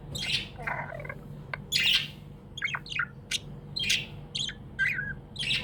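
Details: Budgerigar kept as a tame pet, chirping happily: quick sharp high tweets and clicks in irregular bursts, with steady low room hum underneath.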